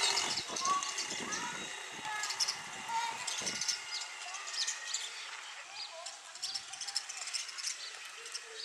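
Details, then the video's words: Sparrows attacking their own reflection in a mirror, treating it as a rival for territory: dense, rapid, high chirps in irregular bursts, with a lower warbling note near the start and some thumping or knocking. "Angry Bird fighting Against Mirror / Sparrow fight with no Opponent"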